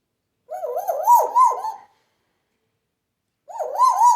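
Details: Pet African grey showing off its mimicry; loud, wavering, whistled warbles rising and falling like a siren for over a second, repeated after a short silence.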